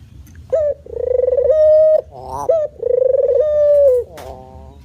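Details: Male spotted dove giving manggung cooing: two long, smooth, slightly rising coos, each introduced by a brief quavering note and followed by a short grating note, in a quiet setting.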